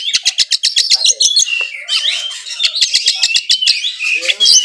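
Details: Oriental magpie-robin, a caged bird in full loud song packed with mimicked phrases, from Kudus, Indonesia: rapid rhythmic bursts of sharp chips alternating with shrill whistled slurs and rising notes, continuous and high-pitched.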